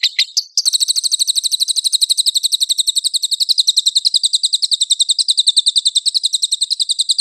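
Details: Champion-style lovebird song, full of learned material, meant to provoke other lovebirds to sing. A brief scratchy note opens, then a long, fast, even trill of bright, high repeated notes continues for about seven seconds.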